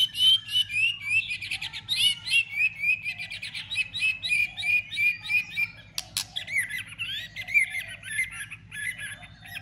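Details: Excited white-rumped shama sings a fighting song with tail-flicking to stimulate rivals: a rapid run of short, similar whistled notes, about three a second, then a single loud click and more varied high phrases over a low hum.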